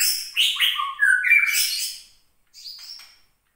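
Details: White-rumped shama of Gunung Leuser stock from Aceh, captive, singing in anger after being teased: loud rapid phrase of sliding whistles and rough chattering notes, then a short, higher, thin whistled tail after a brief pause.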